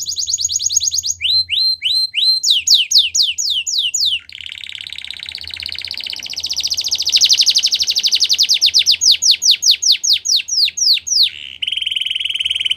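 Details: Canary singing a varied song used to encourage other canaries to sing: fast rising whistled note series, then long rapid buzzy rolls and trills, with repeated upslurred chirps between phrases.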